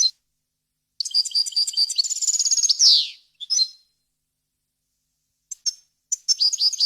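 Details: European goldfinch song, a pure, error-free recording meant for teaching young goldfinches and goldfinch hybrids to sing: rapid high twittering phrases, a trilled stretch, then a buzzy descending note, with short pauses between bursts.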